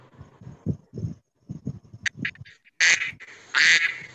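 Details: Duck, described as white and living in water, played back during a Marathi school lesson on birds: two loud, harsh, nasal quacks near the end, after Marathi talk about ducks and ducklings.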